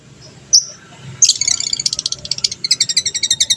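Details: Lovebird fighter in Indonesian gacor style, used to provoke other birds into answering: a sharp high chirp, then a dense shrill chatter breaking into a rapid run of high repeated notes, the long ngekek trill.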